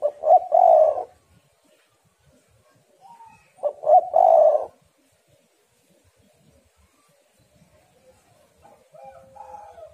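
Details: A female spotted dove, recorded to attract and stimulate males, repeats a hooting phrase ending in a long coo twice, roughly four seconds apart. Quiet wavering notes follow near the end.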